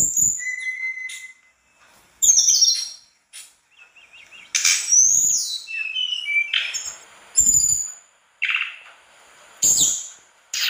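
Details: Mangrove blue flycatcher singing steadily, its song packed with fill-in phrases: clear level whistles, high sweeping notes and short warbled trills, split by pauses and sharp broadband clicks or rustles.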